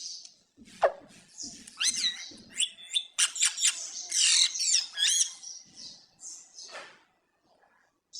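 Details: Pet Indian green ringneck parakeet calling: a busy run of sharp high chirps, squeaks and harsh squawks in irregular bursts, then a short pause near the end.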